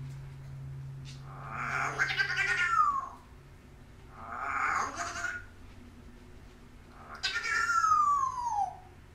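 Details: Female pet African grey parrot indoors, mimicking speech and growling: three drawn-out, voice-like utterances about two to three seconds apart, each with tones sliding downward at the end, over a low steady hum.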